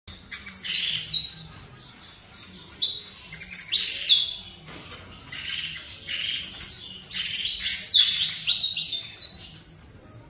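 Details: Caged saffron finch from a breeder, singing in the fibra style: bursts of high, slurred descending notes delivered in rapid chirpy runs, broken by short pauses around two and six seconds.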